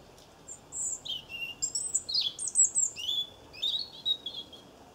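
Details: European goldfinches drinking at a garden bird bath in Cornwall on 23 September 2014. Bright, liquid twittering in quick bursts of high chirps and sweeping tinkling notes over about four seconds, against a quiet background.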